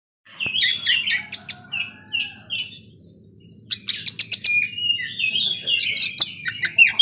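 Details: Oriental magpie-robin singing in the afternoon: a rich, varied run of sweet whistles, sharp clicks and slurred rising and falling phrases, with a short pause midway before a rapid burst of bright, chattering notes.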